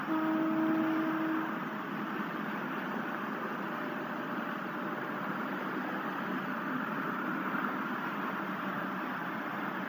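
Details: Continuous engine-like hum with a brief steady tone during the first second and a half; no animal sounds.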